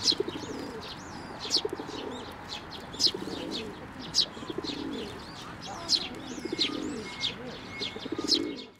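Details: Sparrows at a Tenmangu shrine on 19 May 2024 come onto a hand for food, chirping rapidly in high, twittering notes while pigeons coo low and rhythmically in the background.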